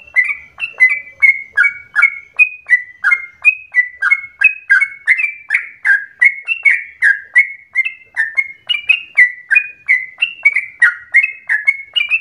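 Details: Continuous lure song of a yellow-vented bulbul for prompting other bulbuls to sing at length: a long chain of quick, gurgling whistled notes, each slurred between two pitches, roughly three every second.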